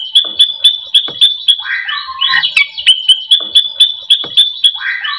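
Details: White-rumped shama song used to make other shamas sing: steady high ticking notes about four per second, broken by brief warbled whistle phrases.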